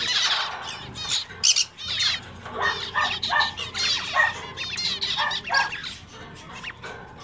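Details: Zebra finches in a pet shop, males singing; clear nasal, harmonic "meep" calls stand out in bursts of roughly one per half second, over a background of many other finches chattering.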